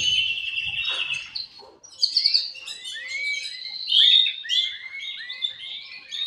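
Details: Male canary singing, with others replying, to encourage breeding. A buzzy trill opens the clip, then a brief lull follows. After that, series of rising, chirped slurred notes repeat in quick succession, punctuated by a loud trilled burst.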